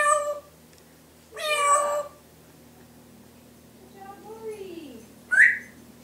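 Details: A pet Timneh African grey parrot runs through imitations of household sounds: two harmonic, meow-like calls, then a soft falling whistle and a sharp rising squawk, in a quiet room; Grey parrot.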